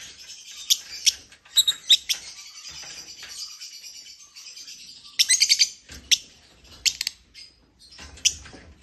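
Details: Shrill, high-pitched chirping of African lovebirds, with rapid clusters of sharp squeaks around the fifth second and scattered single chirps throughout, dense and busy.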